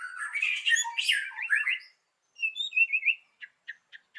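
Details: White-rumped shama morning lure song: a scratchy, chattering warble, a pause, a sweet rolling whistled phrase, then four short evenly spaced clicks.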